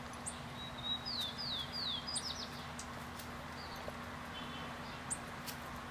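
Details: Patagonian sierra finch eating seeds and flowers of larch at Coyhaique, giving a short series of thin, high, descending slurred notes, with faint sharp chips and a steady low hum behind.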